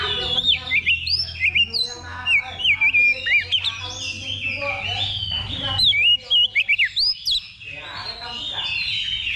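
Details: Oriental magpie-robin in a level-two practice contest simulation before competing, pouring out looping whistles, rising and falling slurs and scratchy chatter in rapid bursts, with people talking around.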